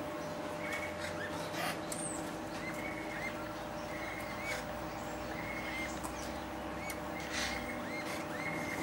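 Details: Greater necklaced laughingthrush recorded 23 September 2012 in forest at the edge of Kaeng Krachan National Park, Phetchaburi, Thailand: clear slurred whistles, each rising then falling, repeated about once a second, over constant low droning noise.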